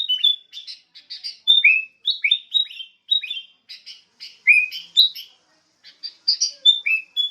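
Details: Sooty-headed bulbul singing cheerful phrases of sliding whistled notes and short chirps, repeated in irregular bursts with brief silent gaps, and no other sounds.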